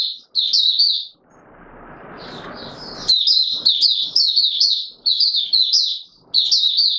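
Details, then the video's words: Courting Oriental white-eye, 25 January 2022, delivering bright high warbled phrases: a short opening burst, a pause filled with a low hiss, then a long run of quick chirping notes in even spurts. "Mata Puteh Raja V2 in courtship mode"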